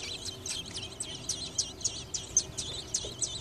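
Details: Robin nestlings waiting in a nest built on a light next to a garage door: insistent high, squeaky chirps repeated several times a second against a low background hum.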